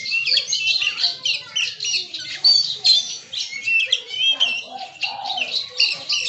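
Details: Kacer, the Oriental magpie-robin, in continuous bongkar isian song: a busy, unbroken stream of high twittering, squeaky whistles and scratchy notes for over six seconds, with other bird voices mixed in.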